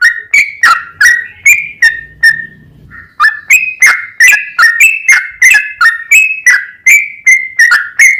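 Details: Yellow-vented bulbul singing a long 'ropel' phrase meant to lure other bulbuls into song: clear whistled notes, rising and falling, repeated roughly three per second, with a short gap near the middle.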